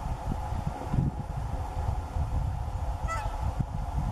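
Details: Whooper swan uttering a single brief trumpeting honk with clear harmonic overtones near the end, set against strong low wind rumble throughout.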